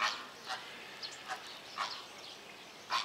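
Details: Greater flamingo at Opole Zoo giving short, harsh, goose-like honks, about five separate bursts spaced irregularly over three seconds, each brief and nasal, with a quiet background between calls.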